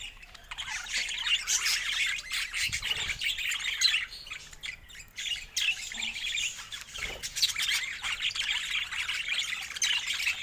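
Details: Budgerigars twitter and squawk in a busy flock chorus broken by short lulls, with a few soft knocks and thuds between the bursts of chatter.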